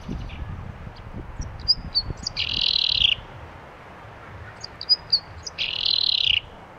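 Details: Common chaffinch in Turkey: a few thin, high notes, then a harsh buzzy burst about half a second long. The phrase comes twice, roughly three seconds apart, over a faint low rumble.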